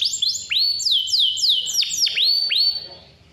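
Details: Vigorous canary song with a clear voice, played to make young or silent canaries sing: repeated bright, high whistled notes curving down and up, in a lively flowing phrase that fades out.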